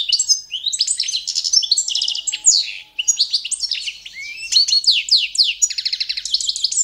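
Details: Carduelis carduelis balcanica, Balkan goldfinch, with training song to championship standard: continuous high twittering, fast repeated buzzy trills and drawn-out whistled slurs, a faint low hum briefly in the background.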